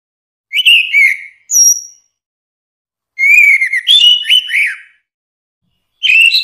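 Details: Song of an orange-headed thrush, used as a tutor recording for cage songbirds: warbled whistled phrases with high thin notes and quick slurs, given in bursts with pauses between; clean, quiet background.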